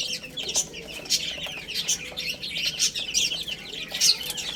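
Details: Young chicks eating and playing: repeated high, piping chirps roughly every half second among many overlapping voices, with light clicking from pecking.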